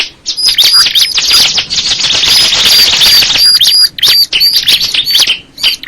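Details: Crystal ciblek (bar-winged prinia) song: high chirps and repeated bright whistled notes, joined midway by a continuous rushing, buzzy sound under the singing before the chirps resume alone.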